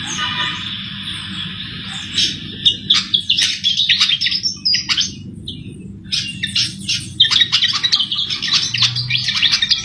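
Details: Vigorous singing from a sikatan jawa flycatcher, used to lure birds for trapping: a quiet buzzy start, then sharp chirps, squeaks and chattering bursts repeated throughout, over a steady low hum.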